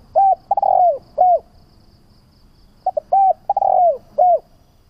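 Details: Lure call of a spotted dove for training doves: two close phrases of mellow coos, each a short note, a long falling note and a clipped final coo, over a low murmur.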